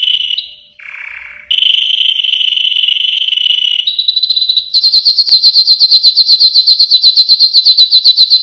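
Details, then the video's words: Yellow canary singing: mid-pitched rolling trill, short lower buzzy dip, more steady rolls, then a long fast series of sharp high pulsed notes repeated about four times a second. "Chant canari jaune magnifique.Magnífico canto del canario amarillo. Muhteşem sarı kanarya şarkısı."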